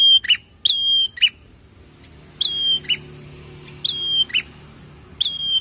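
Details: Prinia song for prompting caged birds to sing: clear high whistles falling onto a level tone, each paired with a quick buzzy chirp, repeated in spaced bursts over a faint low background hum.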